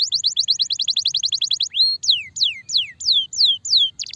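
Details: Starblue canary, a long-duration tutor recording used to teach other cage birds, sings a rapid run of about twenty sharp high chirps, followed by a series of loud descending whistled slurs at a steady pace, ending in quick trills.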